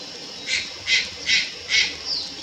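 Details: A juvenile Malayan night heron recorded at Lugu on 4 August 2022 gives four loud, scratchy, wheezing rasps about every 0.4 seconds, followed by a softer thin note.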